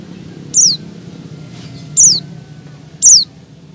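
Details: Calling to lure males, a female Oriental white-eye in breeding condition utters three piercing, high notes that drop sharply in pitch, spaced about one to one and a half seconds apart.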